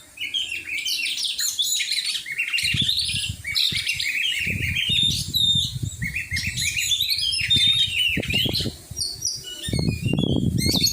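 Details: Caged Oriental magpie-robin during a training session, pouring out a dense, fast medley of chirps, trills and slurred whistles, with low thumping and rustling noise underneath through much of the stretch.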